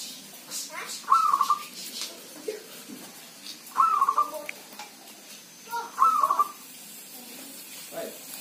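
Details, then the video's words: Healthy zebra dove singing through rain or drizzle: three beaded, stuttered cooing phrases spaced about two and a half seconds apart, over a low hiss with faint ticks. "Jika perkutut sehat maka waktu bunyinya tak pandang cuaca walau hujan atau gerimis"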